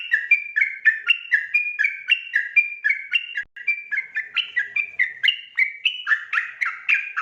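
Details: Nighttime ropel song of a sooty-headed bulbul, kept as training material for other birds: a long unbroken run of clear, slightly slurred whistles alternating higher and lower pitches, about three to four per second, with one tiny gap.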